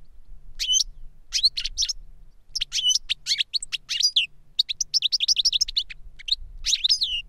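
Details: Caged European goldfinches, an experienced master and a young learner, deliver reclamo song: a dense stream of sharp, high chirps and clipped buzzy notes that quickens midway into fast, tightly packed twitters, with a quiet background.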